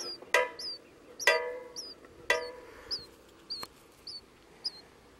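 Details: Four-day-old Eastern bluebird nestlings in a nestbox on April 29, 2015 give thin, high, down-slurred peeps, about two a second, broken by three loud wooden knocks.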